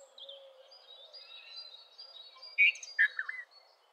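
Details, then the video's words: Red-vented bulbul letting out a loud pair of bubbly, liquid notes followed by a softer slurred note near the end, over faint high whistles and low hums from other birds. "Red-vented Bulbul Song ! Red-vented Bulbul Call ! Red-vented Bulbul Sound! Red-vented Bulbul Vocals"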